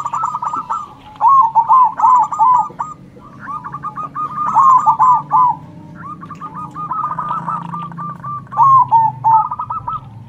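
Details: Loud zebra dove manggung song, a local dove calling back and forth with other local doves: bursts of rapid, bubbling coo notes with a trilled start, repeated in phrases about every two seconds over a low background hum.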